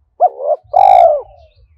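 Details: Spotted dove decoy cooing at dawn to draw wild doves, thổ sấm voice style; a short sharp note then a long, loud, throaty coo that slides down at the end.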